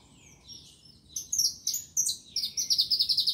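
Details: Saffron finch song opening with soft, thin notes, then breaking into loud sharp chirps that speed into a rapid, evenly pulsed high trill at the end.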